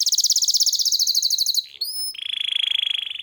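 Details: Canary in full song, delivering a rapid high pulsed trill, a brief low dip and twanging note, then a long steady rolling trill at a lower pitch, clean and loud without other sounds.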